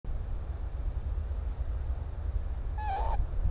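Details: Northern lapwing filmed on the Timiryazev field in May 2017: a single short, rising, slightly nasal call near the end, over steady low rumble and wind.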